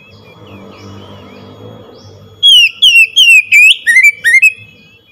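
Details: Oriental magpie-robin song used to provoke a silent bird into singing. After a low rumbling hum, loud clear whistled notes begin, each a bright slurred phrase, several falling or rising, delivered in quick succession for about three seconds.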